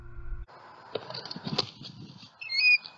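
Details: At a southwest Florida bald eagle nest with eaglets, after an owl struck the sleeping female and knocked her to the nest, the alert pair call; a brief, high, thin whistled squeal follows soft rustling, thumps and a low hum.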